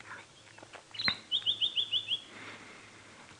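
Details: White-browed scrub robin calling from an open, prominent perch at Djuma Game Reserve on a sunset safari drive, 26 November 2016: a high whistle, then six quick, even notes, about three a second, over a faint murmur of voices.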